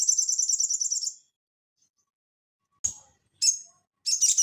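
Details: Lively sogon, or Crested jay, performing ngeleper song as training audio for cage birds: a rapid high rattle of about a second, a pause, then several sharp chips and the start of another buzzy burst.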